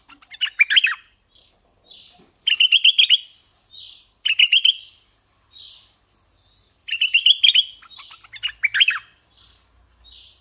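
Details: Red-eyed bulbul used as a decoy bird, repeating short chattering phrases of quick, bright, bubbly notes every two to three seconds. Soft breathy rasps fall between the phrases.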